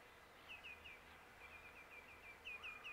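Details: Wood sandpiper calling: faint, sharp downslurred notes, mostly in quick runs of three, repeated several times over a steady background hiss.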